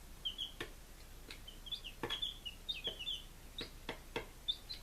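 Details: Baby chickens on day five, Lunenburg, Massachusetts, 23 July 2017, peeping in short, high, slightly falling notes, often in pairs, with occasional pecking taps and clicks.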